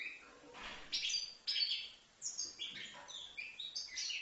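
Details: A five-month-old European goldfinch from Livno sings a rapid, tinkling twitter of high, liquid notes mixed with short buzzy trills, delivered in quick bursts with brief pauses.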